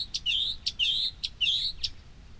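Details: Northern mockingbird, a wild bird at a New Jersey reservoir, perched in a waterside tree; one sharp, rising whistled phrase with a short click before it, repeated three times in quick succession, loud and clear.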